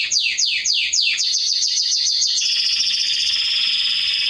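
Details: Serinus canaria, a canary singing for young birds to learn from: a few loud downward-swooping notes, then a rapid rolling trill that becomes a dense, steady high buzzing roll.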